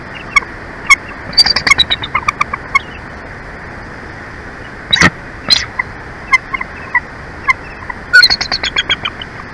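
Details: Wild bald eagle pair's nest in Big Bear Valley, California, 23 February 2024, late morning; bouts of quick, thin chirps in rapid runs, separated by quieter gaps, with a few louder clipped notes midway and a final chattering run.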